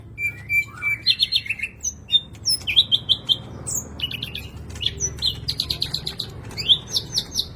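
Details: Kept green leafbird singing energetically, its song filled with imitations of the sikatan londo. Clear whistled notes, some sliding upward, mix with bursts of quick metallic chips and short rattling runs, all delivered in rapid, varied phrases.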